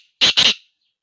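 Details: Black francolin, known locally as kala teetar, giving two loud, harsh, grating notes in quick succession, the second slightly longer, then silence.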